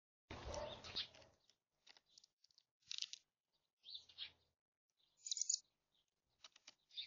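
A chickadee gives short, high, buzzy notes in scattered bursts about once a second. A brief burst of rustling noise comes at the start.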